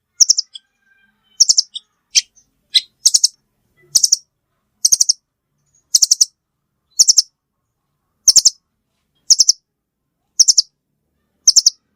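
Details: Steady series of brief, very high triple-note chatters from a velvet-fronted nuthatch, repeated about once a second for twelve seconds after a few scattered single chips.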